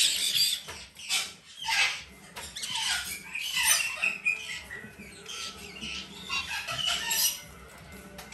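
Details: Female blue-eyed cockatoo chick from a domestic breeder, being hand-fed three times daily: harsh, rasping squawks with sweeping, grating bursts that rise and fall, over quiet background music.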